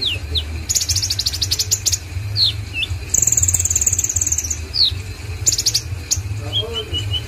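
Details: Konin song from Indonesia, made of clusters of fast ticking notes, thin descending whistles and one long, bright trill in the middle, with a constant low droning hum below.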